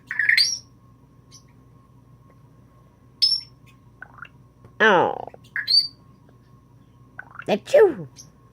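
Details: Female African grey parrot kept indoors in a home flock, making assorted imitations: sharp rising whistles, short squawks and several loud noisy downward-sweeping bursts, spaced irregularly, with brief human voice nearby.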